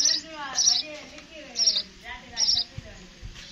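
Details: Sparrow calling with sharp, high chirps in about four bursts over a few seconds, mixed with lower, wavering harmonic sounds and a low background hum.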